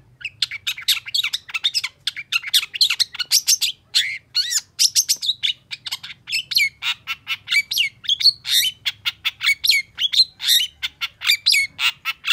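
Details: Long-tailed shrike in a heated reply to a rival, recorded as training song for other birds: a long, unbroken torrent of sharp chirps, squeaks and quick whistled slurs, delivered rapidly throughout.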